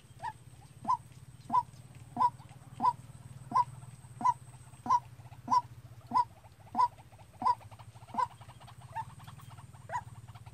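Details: White-breasted waterhen, a captive decoy bird in training, used as a trapping lure: short, abrupt mid-pitched notes repeated steadily about every two-thirds of a second, around sixteen in a row, over a low hum and a faint steady high whine.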